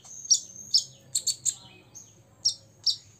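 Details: Brief snatch of a six-year-old olive-backed sunbird provoking rivals: scattered sharp high chirps spaced irregularly, with a thin whistle between.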